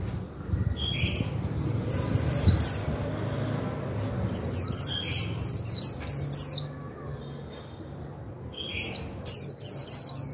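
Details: Japanese white-eye used as a lure bird, singing the chattering líu style to stir other white-eyes into song: bursts of rapid high twittering notes in two long runs, with pauses between, over a steady thin high tone and low background rumble.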